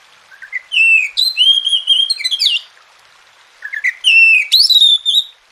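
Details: Training song of an Oriental magpie-robin for stirring lazy birds into song: a low rising opener, then sustained bright whistles and a steep upslurred flourish, the phrase repeated after a short silence.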